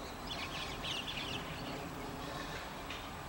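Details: Burst of rapid, grating White-cheeked starling chatter lasting about a second, then one faint later note, set against a steady roar of background noise.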